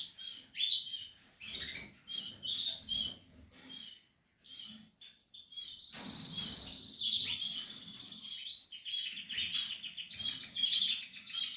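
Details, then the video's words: Young canaries in a nest, Portuguese harlequin type, giving bursts of high squeaky begging-like chirps, a sustained thin whine midway, then more intense overlapping cheeps. "canary chicks"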